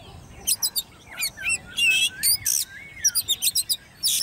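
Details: Hand-reared caged Oriental magpie-robin, ten months old, in competition singing: rapid bursts of sharp high whistles and buzzy notes, then long sliding whistles, in a varied phrase with short pauses.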